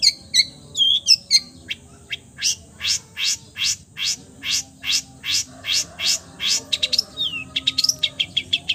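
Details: Long-tailed shrike with a full repertoire, mimicking the voices of many bird species: a few varied whistled and slurred notes, then a long steady series of sharp, high, evenly spaced chip notes about three per second, ending in quick mixed twitters.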